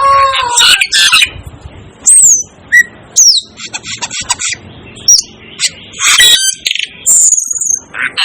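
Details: Calls of the Asian glossy starling, Aplonis panayensis: thin upward and downward-slurred whistles mixed with scratchy chirps, scattered irregularly through the recording with brief silences.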